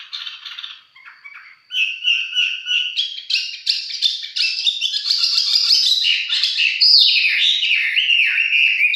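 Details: Red-whiskered bulbul, a fighting-grade mộc chiến bird, singing at leisure: soft chatter opening into a sustained, dense, loud warble of tumbling whistled notes.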